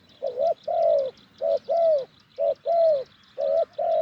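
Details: Spotted dove, wild and deep-voiced, calling during branch decoy trapping in Thailand; warm hollow coos, each a clipped note then a longer drawn one, four pairs in quick rhythm over soft high ticks.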